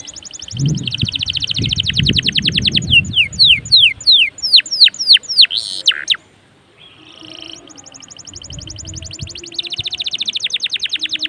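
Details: Vigorous canary song used to stimulate other canaries: rapid buzzing trills, then a run of whistled descending sweeps and a harsh buzz, a short silence, and the fast trill resuming; some low thumping early on.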